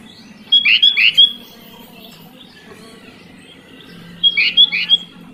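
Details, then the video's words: Kutilang, the sooty-headed bulbul, gives two short bursts of three or four bubbly, liquid notes each, separated by about three seconds of quiet with a low background hum. "Kicau Burung Kutilang Buat Pancingan Kutilang Malas Berkicau"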